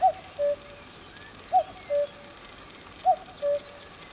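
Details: A male common cuckoo at Croft Castle, Herefordshire, gives three clear two-note 'cuck-oo' calls, a higher note falling to a lower one, about every one and a half seconds, with faint songbird twitters behind.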